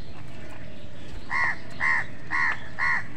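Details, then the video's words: Four harsh, nasal caws from a crow fighting with other birds over food, evenly spaced roughly every half second after a quiet start, with constant low-pitched background noise. "crow sound কাকের ডাক"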